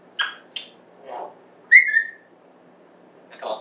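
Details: Pet African grey parrot, indoors, recorded September 14, 2024, vocalizing: short broadband chirps, then a clear whistle sliding slightly downward, and another burst of squawky sounds near the end, with a quiet room between.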